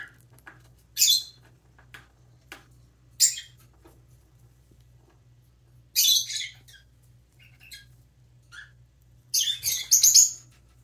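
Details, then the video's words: Young pet parrotlet preening and giving sporadic bursts of high, scratchy chirps, several seconds apart, with softer clicks between and a constant low hum behind. "the baby parrotlet preening and chirping"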